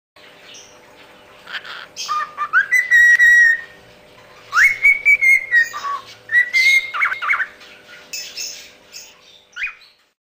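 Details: A male pearl cockatiel whistles the learned tune of the Mickey Mouse clubhouse song in clear, sliding notes that rise and hold steady, with scratchy chirps and squawky chatter between phrases.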